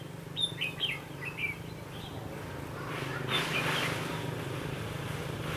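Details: Red-whiskered bulbul used as a decoy while trapping wild birds with a long-arm trap on 22 October 2016: four quick whistled, slurred notes in the first second and a half, then a steady rushing noise.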